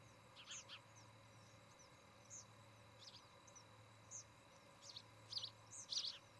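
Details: Osprey at a nest in Charlo, Montana, filmed by a nest camera on 17 August 2018 in the early evening. High, sharp chirps come in short clusters, growing louder toward the end, over a steady low electrical hum.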